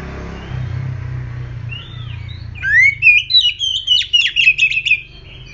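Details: Oriental magpie-robin, described as aggressive, singing as a lure to draw other birds into song: low rumbling background noise at first, then a loud burst of rapid, sharp, slurred whistled notes repeated several times a second.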